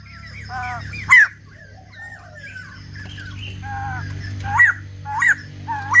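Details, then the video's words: White-crested laughingthrush song: scattered bright whistled notes that rise sharply and then fall, mixed with softer chuckling phrases. Loud notes come near one second and again around five seconds, over a constant low droning hum. "Chim Bạch Đầu Ông / Hót Đỉnh Cao"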